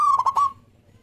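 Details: Local Zebra Dove singing as a lure to set other doves off: one short phrase of a steady ringing coo broken by three quick stuttered pulses, fading out after half a second.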